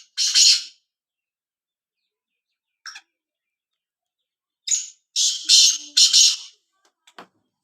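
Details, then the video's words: Calling black francolin: a single harsh, scratchy note, a brief soft note, then a grating phrase of four buzzy notes, followed by faint clicks. "kala tetar ki awaz boli"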